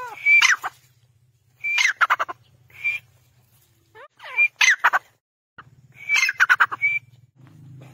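A grey francolin calls loud, shrill, clipped phrases of rapid harsh notes with a ringing whistle, repeated every second or two. A low hum runs underneath.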